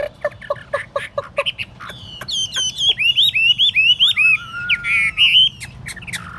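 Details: Tame caged Chinese hwamei gives a series of short sharp notes, then a fast string of looping, warbled whistles with a lower sliding whistle running beneath them.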